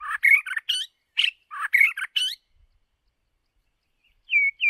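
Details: White-rumped shama decoy bird singing, used for voice training: rapid bursts of varied whistled and chattering notes for about two seconds, then silence and two brief rising-falling whistles at the end.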